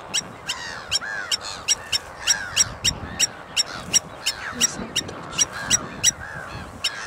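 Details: Repeated ringing metallic clinks from a blacksmith lapwing, nearly three per second through the whole stretch, with curved slurred calls of other birds underneath.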